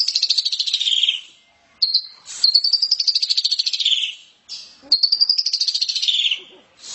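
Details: Asian pied starling giving 'ngeplong' and 'ngeriwik' chatter: long harsh pulsed rattles, some gently falling in pitch, separated by short pauses and a quick high note.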